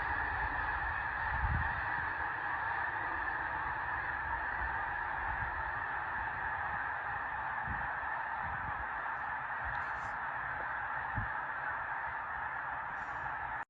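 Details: Millions of snow geese by Saskatoon in Saskatchewan, upset by a disturbance, fill the air with a steady roar of massed honks, thousands of voices blending into one dense chorus, with a few low thumps beneath.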